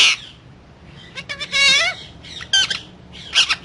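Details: Talking parrot: a harsh squawk, quiet, then a quick stutter of clicks leading into a wavering voice-like syllable, followed by more raspy bursts.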